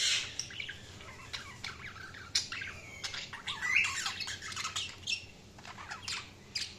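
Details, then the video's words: Budgerigars chirping: a busy stream of short harsh squawks and scratchy chatter, with brief whistled notes rising through the middle and louder bursts scattered across the recording. "Budgies Chirping sound"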